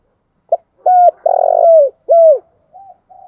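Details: Lure-call song of a spotted dove: a short clipped note, an arched coo, a long rolling buzzy coo and a falling coo, ending with soft quiet notes.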